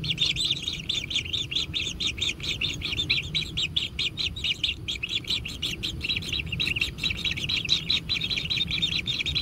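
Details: Kingfisher chicks in a natural nest calling for food during feeding: long, continuous bursts of harsh, high chittering notes repeated rapidly, with a faint low rumble beneath.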